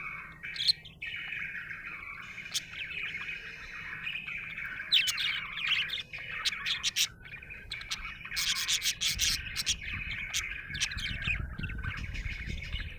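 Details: A happy budgie chirps continuously, mixing chattering warbles with sharp clicks and squeaky bursts that grow busier toward the end, with a low rumbling background.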